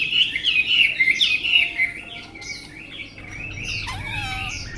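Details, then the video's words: Fast, loud, twisting whistles open this tame Vietnamese Chinese hwamei's song, about four notes per second, before it fades into softer slurred phrases and a low, drawn-out note. "họa mi ccdv1121 thuần đẹp giọng hay quá"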